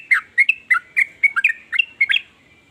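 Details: Sooty-headed bulbul voice, one of several variations said to make other bulbuls join in singing: about ten short, slurred chirps spaced unevenly over two seconds, each sliding around a mid-high pitch, on a quiet background.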